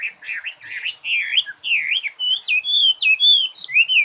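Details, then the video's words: Songbird delivering a lively, continuous warble of quick rising and falling whistled phrases, high-pitched, with slurred notes that grow louder and more ringing toward the end. "Chim hót"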